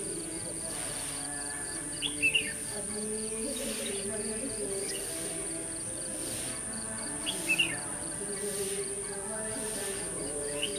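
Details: On a trapping outing of 21 November 2015, a decoy red-whiskered bulbul sings short bubbling, whistled phrases in pairs at irregular intervals, under a constant piercing insect note, ticking insect pulses and soft low droning sounds.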